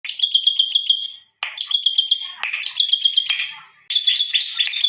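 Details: Bar-winged prinia giving an unusual, lively song: bursts of rapid, sharp high chirps repeated about four per second, with short pauses between phrases and a brief gap near the middle.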